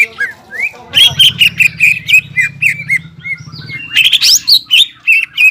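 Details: Greater green leafbird kept as a singing bird, its varied song meant to rouse silent, stressed leafbirds: rapid rising whistles and chattery notes, a pause, then brighter ringing phrases, with a low droning hum in the middle.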